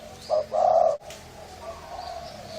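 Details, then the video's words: Thai-type spotted dove with a husky voice: a short clipped note then one fuller, raspy coo, followed by quiet with a faint low continuing hum. "Tiếng chim cu gáy thái giọng khàn gáy gù kích trống mái kích bổi nhanh nổi"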